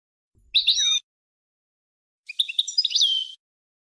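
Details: European goldfinch song used to tutor young birds, a 2020 recording: two short bursts of high twittering and bright whistled notes with a rising-falling slur, separated by about a second of silence.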